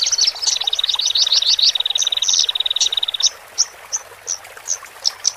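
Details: Horsfield's bush lark song, male and female, used to help birds newly taken from the flock adapt to the cage: a rapid rattling trill with rising whistles for three seconds, then spaced, sharp single notes.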